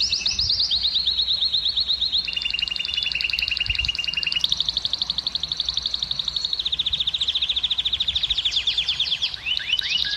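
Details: Canary song meant to stimulate female canaries to breed: long sequence of distinct tours, each a rapid run of identical notes, shifting pitch from phrase to phrase, ending in fast descending slurs.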